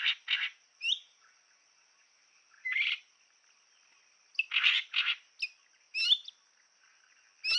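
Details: Bronzed Drongo on a trail camera at Rocky Pool, Huai Khayeng Nature Park, in April 2024, giving harsh, buzzy bursts and sharp rising whistles in irregular clusters over a steady high insect-like hum.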